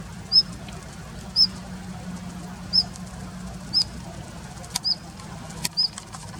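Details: Daurian redstart defending a winter patch of plum grove, late February 2021, utters a series of short, high whistled notes about once a second, with occasional sharp clicks between them.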